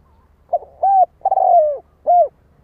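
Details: Spotted dove cooing close up: a brief note, a rounded coo, a long stuttering coo that slides down, and a final rounded note, all low and hollow.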